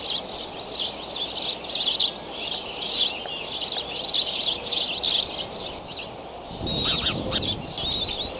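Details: Bald eagle nest at Decorah on 20 May at 7:28 am, eaglets flap hopping. Rapid, high, thin chittering notes run in quick bursts over steady wind-like rumble, with a louder gust near the end.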